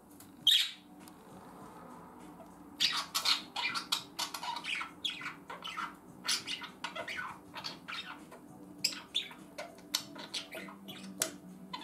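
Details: Two pet budgerigars in late August, the larger wearing an orange leg ring, playing among their toys, including a stone tied on with a ribbon; sharp squawks and chirps come in bursts, with the owner speaking German quietly nearby.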